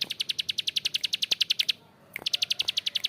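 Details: Bar-winged prinia giving rough ngebren: quick, dry clicks at about seven per second, a short break, then the clicking resumes.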